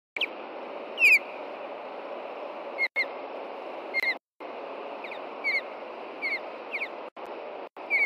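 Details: Osprey pair at a nest in Hellgate Canyon, Montana, giving alarm calls after dark on 2 June 2014, upset by an intruding juvenile: sharp, thin, high whistled chirps repeated every second or so over steady background hiss.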